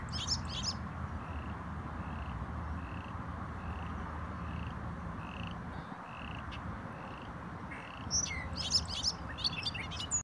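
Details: Bobolink on Cherryvale Trail, Boulder, Colorado, 7 June 2015: bubbly, tumbling bursts of high metallic notes at start and end, a steady ticking note about twice a second between, over a low rumble.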